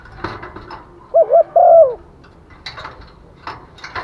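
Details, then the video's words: In the rainy season, a female spotted dove calls for males with one phrase: two short wavering coos, then a long falling croo. Scattered clicks and taps are heard around it. "chim cu mái mồi gáy gọi chim trống mùa mưa, tiếng chim cu mái, cu gáy mái"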